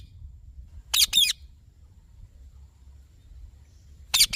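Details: A single harsh doubled screech from a green ringneck parrot, then silence, then the start of another squawk.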